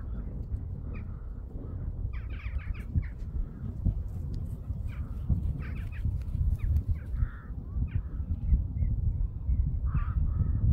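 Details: A murder of crows calling outdoors: scattered harsh, hoarse caws come in short bursts throughout, some overlapping, half-buried under a heavy, constant low wind rumble.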